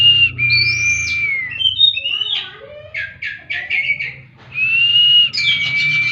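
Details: Kacer (oriental magpie-robin) singing, played as bird therapy: long clear whistled notes near-level and slightly falling, then a quick run of varied chirps and trills, ending with another sustained whistle and rapid twitters; faint low hum beneath.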